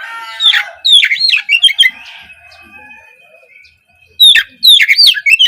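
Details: Oriental magpie-robin song meant to coax young untrained speckled birds into song in the morning: two loud bursts of quick whistles and chirps, with a faint thin whistle lingering in the quiet between.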